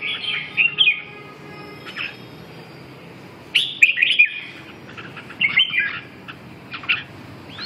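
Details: Red-whiskered bulbul, a kept bird being restored to fighting form, giving short bursts of warbled, slurred phrases at mid-high pitch, separated by pauses of one to two seconds over a faint hiss.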